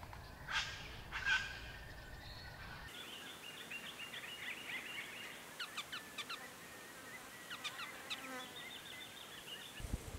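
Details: White-naped Honeyeaters at or near a birdbath on a habitat-restored property in the Capertee Valley, NSW, between late May and early October 2018; thin, high chirps in quick stuttering series, with a couple of louder knocks early on and faint background noise.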